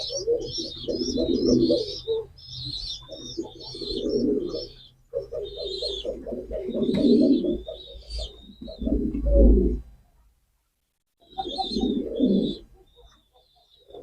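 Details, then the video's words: A long series of deep pigeon coos in rhythmic rolling phrases, with a pause near the end before cooing resumes, and high chirping birds in the background. "pigeon call and sound effect,কবুতরের ডাক।"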